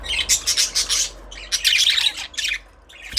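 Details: Budgerigar chatter, loud and close: rapid pulsed chirps at first, then a longer scratchy warble, mostly very high and bright.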